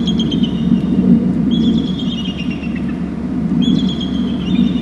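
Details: Two bald eagles calling together at their nest territory on Hornby Island, caught by a nest camera; high, thin, drawn-out squealing notes recur in short series over a constant deep rumbling background noise.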